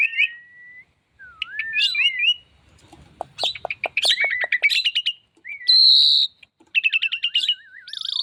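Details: Female Javan pied starling singing actively and pumping: varied phrases of whistled slurred notes, a rapid series of sharp clicking notes, harsh buzzy bursts and a long wavering falling whistle near the end.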